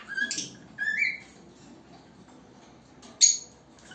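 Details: A young cockatiel (Nymphicus hollandicus) gives its first song: a few bright whistled notes, some sliding upward, separated by pauses.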